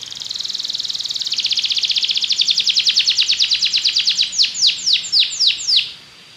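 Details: Belgian canary singing a rapid high trill that gradually slows into a series of distinct, loud downward-curving whistled notes before fading out.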